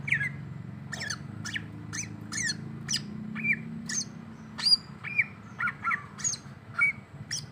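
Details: Greater green leafbird singing while reacting to a rival: short sharp chirps and quick downslurred notes, spaced about a second apart, some bright whistled pips, with a faint low hum behind.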